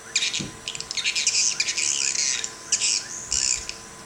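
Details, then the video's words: Swiftlet calls played in Sabah: bursts of dry, buzzy, high-pitched chattering chirps in quick clusters, with short pauses between bursts and a faint steady hum underneath. "Swiftlet sound tested at area sabah"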